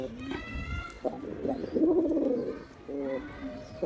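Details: A male pigeon courting a female gives one long gurgling coo, framed by shorter clipped notes and soft background chatter.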